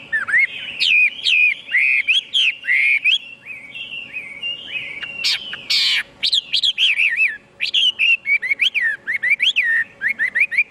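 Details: Chinese hwamei singing a fluid stream of melodic, warbling whistles, broken by a few loud harsh bursts, then fast, chirpy repeated notes that rise and fall; faint hum throughout.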